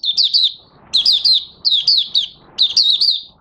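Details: Oriental white-eye (Mata Puteh Raja) starting to sing on 30 August 2022, its new white feathers almost fully pigmented; three bursts of rapid, high twittering warbles, each about half a second, separated by short pauses over faint hiss.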